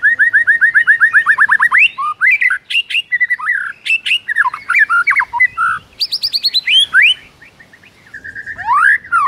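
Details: Energetic morning singing by a white-rumped shama: a rapid trill of repeated notes, varied whistled slurs and chattering, then a rising sweep.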